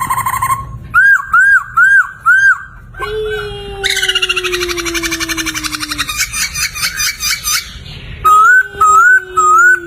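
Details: Laughingthrush (poksay) song for training other cage songbirds: a run of four looping whistled notes, a long slow descending whistle under dense fast chatter, then more looping whistles repeated about twice a second.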